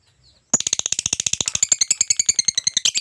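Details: Lovebird in a lively chattering run: after brief silence, a continuous fast series of sharp, shrill, harsh chirps, about eight per second, keeping steady to the end.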